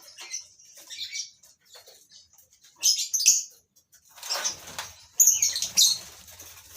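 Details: Several lovebirds in a breeding colony call with rasping, piercing squeaks, first sparse and soft, then louder dense bursts near the end over a low rustling background.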